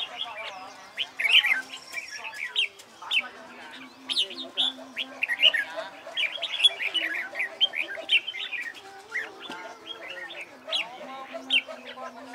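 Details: Red-whiskered bulbul trained for singing competitions, delivering a long lively series of varied whistled and chattering phrases, loud bursts following one another closely, with a low hum in the background.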